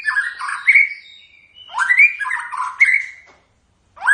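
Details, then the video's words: White-rumped shama song: rich, varied whistled phrases sliding between low and high notes, delivered in bursts of about a second with short pauses and sharp high accents, on a quiet background. "Kicauan khas Murai Batu"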